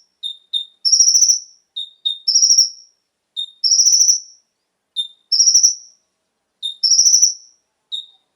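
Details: Brown-throated Sunbird (konin) song, played to prompt captive birds to sing. Double low whistled notes are each followed by a high buzzy trill, repeating roughly every one and a half seconds.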